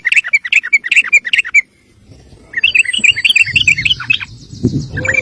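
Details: Sooty-headed bulbul in a long rapid 'ropel' song style, used as a master recording for training other birds: bright chirpy notes in a quick series, a short pause, then another fast rippling run, with faint low rumbling underneath.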